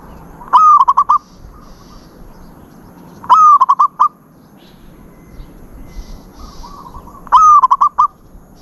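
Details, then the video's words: Zebra dove in its "ood" style of song: a cooing note broken into a quick stuttering run, with the phrase repeated about every three and a half seconds, plus faint clicks. "นกเขาชวา ออดดีๆ เสียงดีๆ"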